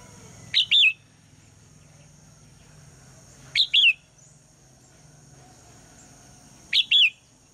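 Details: Female red-whiskered bulbul morning call meant to make the male sing: three brief, higher two-part whistled phrases, sharp then slurred, about three seconds apart, with a low rumble underneath.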